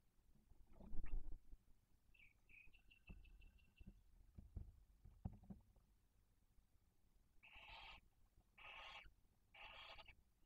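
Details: Barn owl at a nest with chicks aged one and four days in Cabañeros National Park, Spain, during food delivery: soft scattered clicks and a brief thin twitter, then three rasping, breathy hisses in steady succession.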